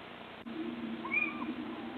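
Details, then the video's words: A little owl, calling often out of sight on 26 March 2014, gives one drawn-out mewing note that lifts slightly and dips at the end, about half a second long, over a steady low hum. "Steenuil roepen"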